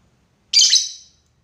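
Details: Lovebird calling a rival, a lure recording of long ngekek calling: one harsh, high, buzzy screech lasting about half a second, fading at the end, with a quiet background.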